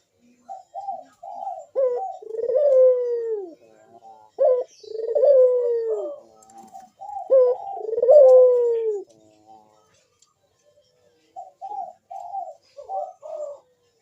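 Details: Bekur-style call of a ringneck dove, used as a lure to make other doves sing: soft staccato introductory coos, each followed by a long descending coo, repeated about three times, then quieter short notes.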